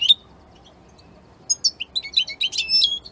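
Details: Singing European goldfinch of the Italian type: one sharp chirp, a silent gap, then a tumbling, rapid sequence of bright, varied twittering notes and short trills.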